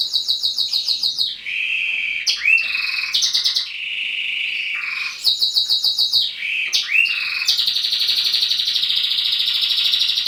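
A male roller canary sings continuously in rapid rolling trills and smooth gliding whistles, shifting between high and mid pitches with no pauses.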